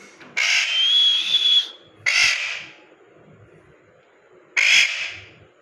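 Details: A parrot call opens with a bright sustained whistle blended with harsh noise. Two separate rough, screechy squawks follow at intervals of about two seconds, each fading quickly.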